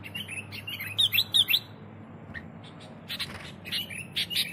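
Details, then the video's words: Sooty-headed bulbul (kutilang) in busy 'gacor' song for luring birds: a quick cluster of four loud, bright whistled notes, a pause, then a looser series of chirps and whistles. "Suara Burung Kutilang Gacor Untuk Pikat"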